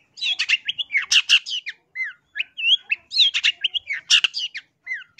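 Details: Long-tailed shrike song for bird luring: harsh chattering bursts alternating with whistled slurred notes, in two similar phrases with a short gap between.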